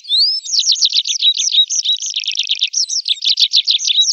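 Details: Summer song of a tree pipit, a dense fast trill of high looping notes that shifts into a buzzy rattling stretch midway and then returns to quick looped notes, delivered continuously and loudly.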